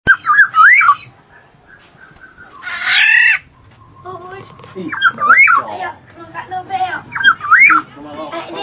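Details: Black-naped oriole giving quick wavering whistled phrases, then a single loud, harsh, nasal call lasting under a second, followed by further whistled up-and-down phrases.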